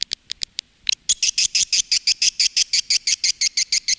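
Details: Swiftlet calling and roosting sound used by swiftlet farmers in Indonesia: a few sharp high clicks, then regular high-pitched chirps repeated about three times per second.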